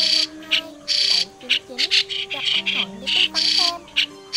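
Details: White-cheeked starling, described as a migratory starling, in a lure recording for the 2020 bird-trapping season: harsh, buzzy, squawking bursts in quick irregular succession, with steady low tonal hum lines and short gliding tones underneath.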